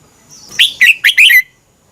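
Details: Red-whiskered bulbul song for training caged birds in Thailand; a single quick phrase of four loud, bubbly, slurred notes lasting about one second.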